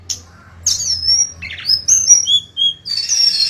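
A golden-bellied gerygone sings thin, very high whistles, a quick run of sweet slurred notes that slide downward, ending in a brief rushing flourish.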